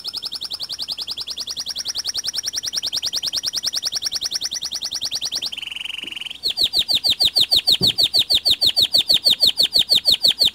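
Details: Local white canary singing a steady, very regular trill of high notes about three per second, a brief buzzy tone near six seconds, then louder, downward-sweeping notes repeated at the same pace.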